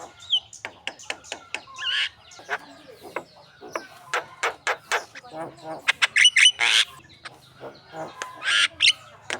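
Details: Javan myna lure song for training contest birds. Dry clicks and ticks are spaced through the phrase, broken by short harsh rasps and a burst of buzzy, nasal squawks.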